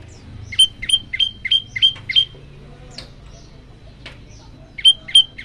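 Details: Olive-backed tailorbird song for getting other birds to join in: six shrill whistled notes in quick succession, a gap with scattered faint clicks and rustles, then three more sharp notes at the end.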